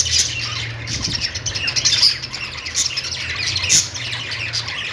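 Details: Happy budgerigar chatter: a busy mix of rapid high chirps and harsher squawks, uneven in rhythm, loudest near two and nearly four seconds, with a constant low droning hum throughout.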